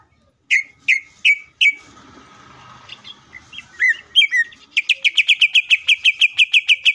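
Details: Greater green leafbird in fierce song to provoke other leafbirds: a few loud chipped notes, a soft scratchy passage, then a fast, even series of sharp repeated whistles, roughly three per second.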